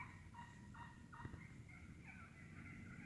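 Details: Wild turkeys, a flock feeding through the woods and calling a lot: a series of short, sharp clucks about every half second, then a rolling run of raspy, purring notes over a steady low rumble.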